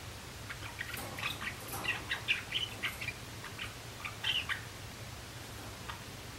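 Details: Young male Java sparrows practising song in April 2016, three males in the group: a loose run of short clicking chips and bright whistled notes over about four seconds, with a steady low hum underneath.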